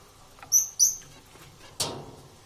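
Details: Parrots competing for survival give two short, very high whistled notes in quick succession, then a single harsh rasp.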